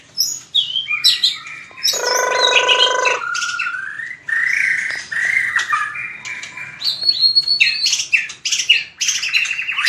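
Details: White-rumped shama giving fighting song used for voice training: varied whistled phrases high and low, a harsh buzzy banded burst midway, then rapid rising and falling whistles and chirps through to the end.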